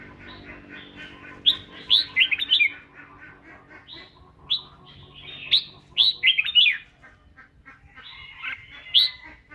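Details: Red-whiskered bulbul singing and dancing while being voice trained; short clusters of loud, clear, swooping whistles recur every few seconds over a steady low hum and a soft chattering undertone.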